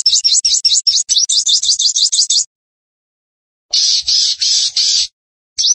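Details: Sunbird singing vigorously, recorded for training and luring cage birds: a fast series of high, thin rising notes for over two seconds, a pause, then a block of dense buzzy high phrases and a fresh start at the end.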